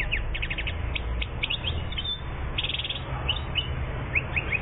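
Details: A one-year-old European goldfinch recorded in Algeria in 2014 gives bursts of quick, bright twittering chirps and short rattled trills, separated by brief pauses, over a steady low rumbling background noise.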